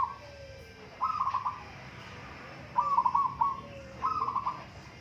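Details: Zebra doves of local stock in a singing contest; repeated bubbling coo phrases of fast pulsed notes, each under a second, with a fainter lower descending coo from another bird underneath.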